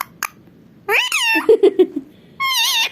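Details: Pet parrot talking happily indoors. A sweeping, harmonic speech-like phrase is followed by three quick low clicking notes, then a sustained wavering nasal syllable, with quiet room background.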